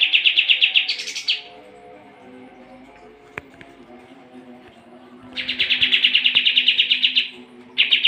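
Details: Sooty-headed bulbul chattering as a training master for competition songbirds: a rapid burst ending in a higher note, a long pause with a couple of faint clicks, then another long fast rattle.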